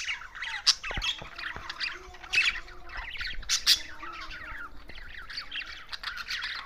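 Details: Budgerigars chattering in overlapping scratchy chirps and squawks, several birds calling at once, with faint clicks and a low hum behind them.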